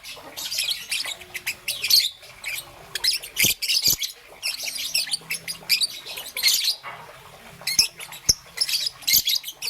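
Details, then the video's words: Green and yellow young peach-faced lovebird in the morning giving scratchy, squawk-like high chirps in uneven bursts, some long and dense, some clipped and short, with quiet gaps between. "Relaxation of Lovebird's melodious chirping sound - Young Peach Face Lovebird - Green and Yellow"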